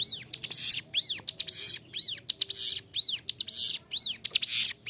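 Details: Bar-winged prinia tutor song with a clear voice: a steady run of arching whistled notes, each answered by a rough buzzy burst, repeating about every second without a break.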